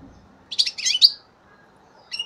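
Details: Three-month-old European goldfinch from 2015 gives a short burst of rapid, high, scratchy twitters, then a pause and a brief new chirp at the end.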